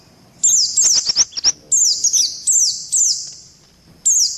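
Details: White-eye lure call in a combination mix: clean, piercing high whistles sliding downward in short bursts about every half second, several quick chips near the start, then silence before a final burst.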